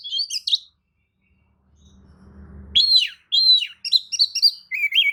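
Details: Tail-spreading Oriental magpie-robin singing a lure song to provoke other magpie-robins; brief notes, a pause with low humming, then loud downslurred whistles repeated in quick succession.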